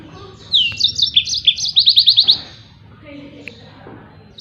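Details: Training song of a yellow-fronted canary for other songbirds: sweeping whistles lead into a quick trill of repeated notes, followed by a quiet stretch with faint background sounds.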